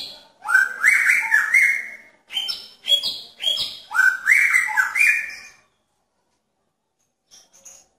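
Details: Male magpie-robin calling for a female's attention in a pairing cage. A quick run of rich warbled phrases mixes high sharp notes with lower rising slurs, then falls silent before a faint final chip.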